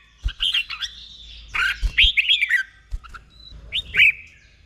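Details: Caged red-whiskered bulbul giving the doubled 'boen' song, slow and clear, meant for other caged birds to copy: short separated phrases of bright slurred whistles with brief pauses, ending in a rising then dropping note.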